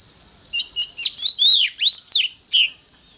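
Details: Oriental magpie-robin morning song, sung in the fiery 'căng lửa' style: clear whistled notes that swoop up and down in quick short phrases, about nine bursts over a steady high whining tone.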